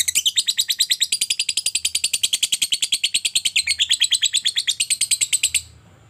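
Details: Lovebird in a long ngekek, a chattering trill that prompts other lovebirds to sing; continuous fast, high, buzzy pulses for over five seconds, stopping abruptly into quiet.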